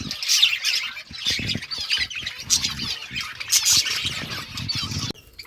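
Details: Budgerigars feeding on green food chatter in rough, squawky high chirps and trilled warbles, overlapping in a lively stream that stops abruptly near the end, with soft thumps beneath.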